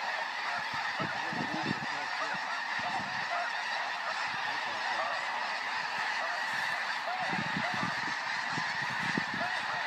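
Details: A large flock of snow geese calling together: dense, overlapping nasal honks and yelps that never pause, blending into a continuous clamorous chorus with sharper individual honks standing out now and then.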